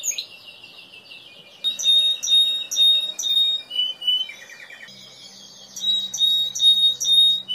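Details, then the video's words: Timbrado canary song with a low trill giving way to loud spaced high whistled notes repeated roughly twice a second, with a faint low hum in the background. "تسجيل طائر كناري تمبرادو#timbrado_canary_song"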